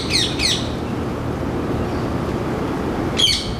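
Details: Male rose-ringed parakeet calling noisily from a Ceylon ironwood tree in Singapore, where it is an introduced resident breeder: harsh, screechy squawks, two quick ones at the start and another near the end, over a steady low background rumble.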